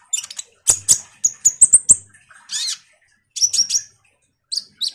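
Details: Common iora chattering vigorously as a lure to draw sunbirds: harsh twitters, a quick string of high whistled notes, a hoarse rasp, then further trills.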